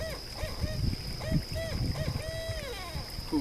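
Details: A Barred Owl in Southeast Michigan gives its rhythmic "who cooks for you" run of rounded hoots, ending in a long, drawn-out descending note, against a low rumble of background noise; this species often calls by day.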